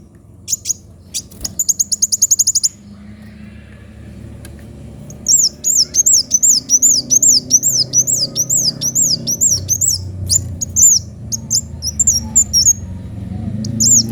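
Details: Energetic sunbird song with a sharp voice: a rapid buzzy rattle of high ticks first, then after a pause a long flowing series of high, curved whistles at over two per second, over low hum.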